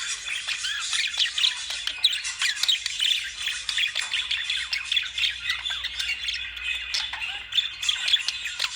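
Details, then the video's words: A flock of lovebirds chattering nonstop, with short scratchy squawks and chirps repeated rapidly and a few louder shrill notes piercing the mix. "Love birds sound"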